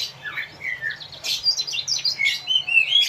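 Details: Asian pied starling song used as tutor audio for captive birds to copy: soft descending whistles, then a dense run of high chattering, squeaky notes and sharp rising whistles building toward the end.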